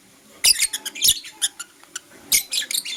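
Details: Blue opaline lovebird in the morning uttering loud, rasping high chirps in two quick volleys, each a run of short sharp notes, with a brief pause between.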